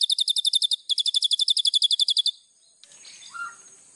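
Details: White-rumped shama master song: two bursts of fast high buzzy rattling notes separated by a brief gap, followed by faint soft warbling.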